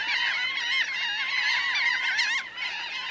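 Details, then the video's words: Laughing gulls, a large flock of about 1000 birds on the ground and in flight, calling close up: a dense, continuous chorus of overlapping nasal, wavering cries, some rising and falling, with no pause over three seconds. "Laughing Gull. CU Calls From A Large Flock Of About 1000 Birds On Ground, In Fli"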